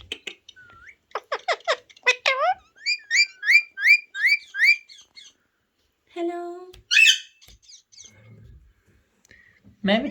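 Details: Ringneck parrot kept as a pet, vocalising during talking training: a run of rapid harsh harmonic chirps, a string of quick rising whistled notes, then scattered squawks and a low murmur, with a person nearby saying "hello hello".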